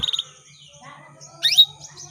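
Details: A female canary's call to males, meant to trigger their song. A few quick high chirps, then a loud upward-sweeping note with soft twittering around it.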